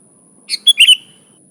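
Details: Brief burst of sooty-headed bulbul song from an unmixed luring recording: one rapid, rich three-note fluty phrase lasting half a second over a thin constant whine.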